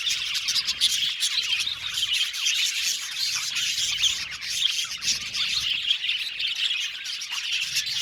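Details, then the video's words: Budgerigars in an aviary colony chirping together: a dense, continuous wash of overlapping high chatter and warbling with no pauses. "Budgies Chirping sound"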